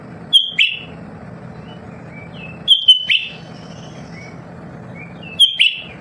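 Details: Lesser green leafbird, a constant singer, repeats a bright whistled slur with a lower trailing chip roughly every 2.5 seconds, with short soft warbles between, against a steady low hum.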